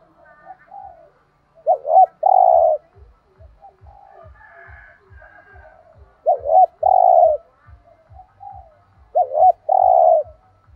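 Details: Spotted dove song in three phrases about four seconds apart, each a quick double note and a long purring coo, with softer coos between and a steady low ticking underneath.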